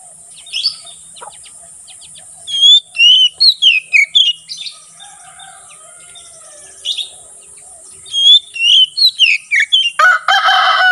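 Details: Oriental magpie-robin (kacer) singing in ngeplong style: loud, clear whistled and chattering phrases with quick rising and falling notes, delivered in two bursts separated by a quiet pause, ending in a harsh buzzy rattle over a steady high hiss.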